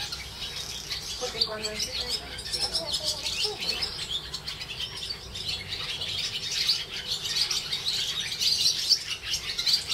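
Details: Over a street walk in the Jewish quarter of Hervás, northern Extremadura, swallows keep up a high, chattering twitter, with a few lower sounds early on.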